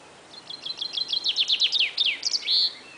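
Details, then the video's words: Songbird whose song is likened to shooting laser beams: a quick series of high downslurred zapping notes, about five per second, ending in a sustained high whistle. "This Funny Bird sounds like He is Shooting Laser Beams."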